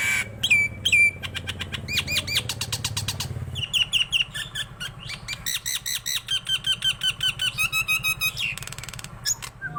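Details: Vigorous Nias hill myna song, meant for rousing other mynas and for tutoring: sharp whistled slurs, bursts of quick clicking notes, then a long stretch of regular ringing notes at about two or three per second.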